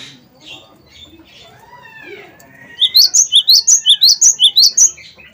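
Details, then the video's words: Cinereous tit, local name gelatik batu wingko, singing energetically as a lure for other songbirds: faint twittering at first, then a loud burst of paired high-low whistles repeated rapidly for over two seconds. "gelatik batu wingko gacor"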